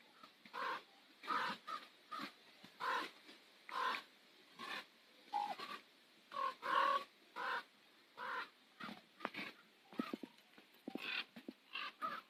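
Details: Several rough, throaty raven croaks at sunset on Nose Hill, Calgary, given steadily about twice a second for twelve seconds. Some are clipped and some drawn out, with a few knocking clicks between them.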